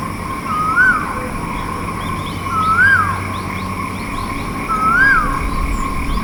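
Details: Asian koel calling repeatedly, a clear rising-then-falling whistled note about every two seconds, over steady low background noise and faint chirping of other birds.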